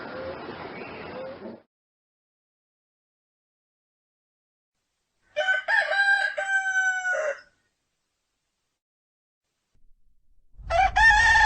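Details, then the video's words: Rooster crowing twice: a clear, stepped harmonic crow of about two seconds after a noisy start and long silence, then another crow beginning at the end. "The sound of cock cock Warble roster sound"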